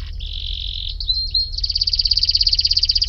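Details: Canary singing: a buzzy rattling phrase, then thin rising whistled notes, then a fast pulsed trill of about ten notes per second that grows louder.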